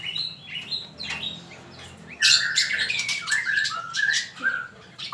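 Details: A male magpie-robin, recorded as a model for training songbirds, gives soft whistles, then a sudden loud harsh rasp followed by a run of varied bright whistled phrases.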